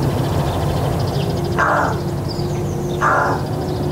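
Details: Rook visiting a garden, in the UK, gives two harsh, raucous caws about a second and a half apart, over a steady low rumble of background noise.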